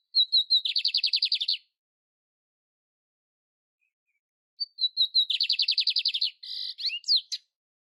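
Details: Canário império singing outdoors in nature: two bursts of bright, high song, each opening with a few clear whistled notes that run into a rapid, buzzy trill, the second ending in chattering twitters, with a silent pause between.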